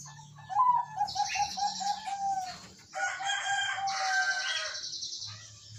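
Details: Zebra dove song played to make a quiet caged bird respond: a quick string of soft repeated coos, a pause, then a second cooing series mixed with high buzzing and other chattering birds.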